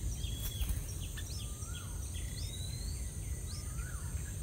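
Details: At a nest, a yellow-vented bulbul parent feeding two chicks gives short slurred whistles and quick high chirps, some notes rising and falling, over a steady low rumble of background noise.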